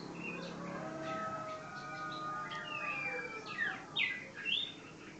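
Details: Common iora song: a run of clear whistled notes, some held level and some swooping up or down, ending in three louder sharp downslurred whistles, over a faint hiss.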